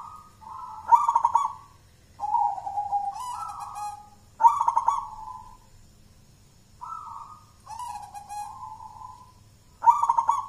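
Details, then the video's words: Local wild-type Zebra dove, jolotundo style, singing with a thick, punchy voice used as a lure. Cooing phrases repeat roughly every two to three seconds. Each phrase has a stuttering burst followed by a level, slightly falling, sustained note. "Suara perkutut lokal jolotundo tebel nembak mental badja,cocok buat pancingan"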